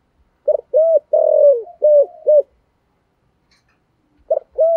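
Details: Spotted dove, a cu gáy with the 'thổ' voice style, cooing to lure wild doves: a run of short hollow coos with one longer drawn-out note, then a pause and two more coos.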